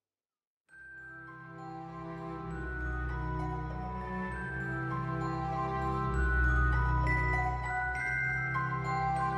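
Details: Soft, sustained new-age instrumental music fades in and plays throughout, with no animal sounds.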